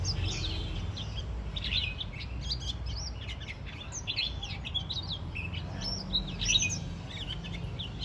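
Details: On the first day of autumn, a warbling white-eye keeps up busy chatter: dense, high, twittering chirps and short downslurs tumbling together almost continuously, with low background noise throughout.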